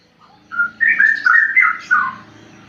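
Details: Juvenile straw-headed bulbul, under five months, in a compact burst of fluty, bubbling whistled notes tumbling up and down, over a low background hum.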